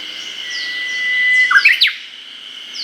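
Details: Japanese bush warbler (uguisu) singing in an early-summer forest in Hokkaido, Japan, recorded with a Nikon COOLPIX P950: a long, steady, rising whistle ending in a quick, sharp, dropping flourish, with a faint high hum behind.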